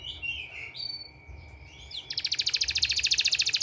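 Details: Canary therapy sound for training canaries: soft scattered whistled notes and slurs for two seconds, then a sudden bright, rapid, pulsing trill of high notes repeated many times a second until the end.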